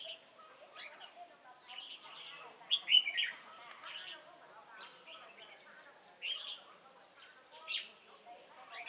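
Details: Red-whiskered bulbul used as a decoy for trapping at Chùa Hương, recorded 28 November 2017; bursts of bright, warbled phrases with sharp chirps, loudest around the third second, with softer lower twittering throughout.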